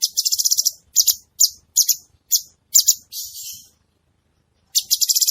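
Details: [1, 'likely', 'song', 'Grey-bellied bulbul (cucak cungkok) singing actively: bright, high chirping notes in quick bursts and short trills, then a pause of about a second before a fresh rapid run of chirps.']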